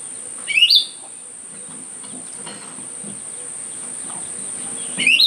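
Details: Myzomela recorded on 25 December 2022 as raw footage for behaviour observation: two sharp, high squeaky notes sweeping upward then dropping, one near the start and one at the end, over a steady high insect-like whine.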